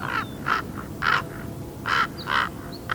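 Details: A 13-and-a-half-week-old baby raven learning how to make different noises: six hoarse, nasal croaks in quick succession, roughly every half second, with a few faint thin chirps between them.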